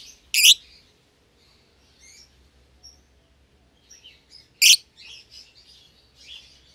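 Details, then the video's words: Young lovebird pair, a euwing green opaline and a red-eyed albino, in a pair cage: two loud isolated shrill chirps with soft scattered twitters and a low hum beneath. "Lovebird Chirping Sounds"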